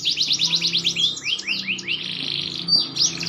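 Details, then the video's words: Loud, fast rattling trill from a maturing green canary that shifts into looping upward-curving whistles, then a softer buzzy passage and a few final sharp notes. "burung kenari hijau makin dewasa wakin baik kicauan nya"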